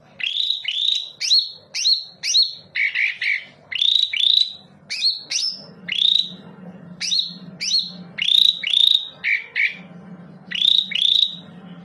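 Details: Lure song of a greater green leafbird, played to prompt singing: a steady stream of clear whistled notes, each rising steeply then levelling off, some higher and some lower, repeated rhythmically throughout over a faint background hum.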